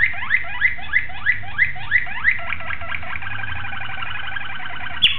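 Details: Malinois Waterslager canary, 26 October 2012, repeating a sharp rising-then-falling note about three times a second for two seconds, then flowing into a continuous rapid rolled trill, with a click near the end and low hum.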